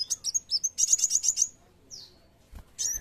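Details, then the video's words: Sunbird in energetic 'gacor' song: a fast burst of high, rattling, buzzy notes repeated rapidly for about a second and a half, then a single down-slurred whistle and a harsh note after a pause. "kolibri wulung | muncang | kaca GACOR.."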